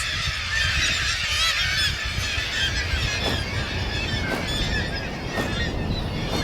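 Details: A dense chorus from a spring-summer breeding colony of tens of thousands of Black-legged Kittiwakes nesting on Arctic island sea cliffs: many overlapping nasal, honking calls with sharper cries every second or so, over a steady low rumble.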